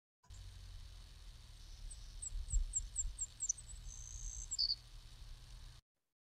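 Savannah Sparrow song: a thin, very high series of quick repeated chips, then a soft insect-like buzz and a lower closing note. A steady low hum runs underneath.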